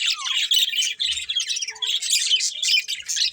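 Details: Budgies twittering and squawking, a downward slurred whistle at the start, then dense chattering notes from several birds, a short low thud near the first second.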